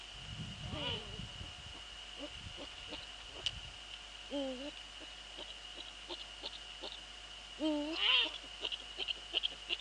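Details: Eurasian eagle-owls at night in the Netherlands, 04:40 on 15 February 2013, male visiting the female close to the nest: three quavering harmonic calls spread across the recording, with scattered sharp clicks and a steady high whine.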